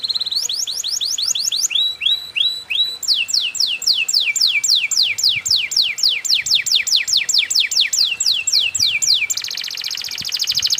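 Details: Canary lure song in the luxurious cengkok mewah balacrad style, with long chains of rapid downward-swept whistles, a short set of lower hooked notes, and a closing fast buzzy trill.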